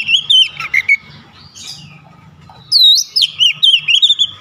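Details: Oriental magpie-robin in fierce song: a few quick slurred whistles, a pause, then a loud run of looping, rapidly modulated high whistled notes in close succession over a faint low hum.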